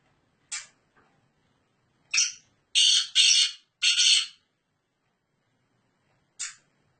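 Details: A Sindhi black francolin, kala teetar, calling while perched on its keeper's hand, gives harsh, grating, buzzy notes: single short rasps, then a rapid run of three longer grating bursts, then one final rasp after a pause.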